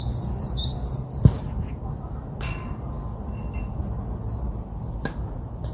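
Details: Songbird gives a quick run of high, thin, downslurred chirps in the opening second, then a few faint scattered notes over a steady low rumble, with two sharp clicks.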